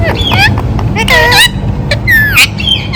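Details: Ringneck parrot talking in fast, warbling, speech-like syllables and bent squawks, nearly continuous, over a low background drone.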